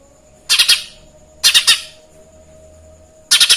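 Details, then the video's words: Lesser green leafbird in full song, imitating a Eurasian tree sparrow: three bursts of sharp, high, scratchy chirps, each of two or three quick notes, about a second apart, over a faint steady hum. "Ijo mini Gacor materi burung Gereja.!!!"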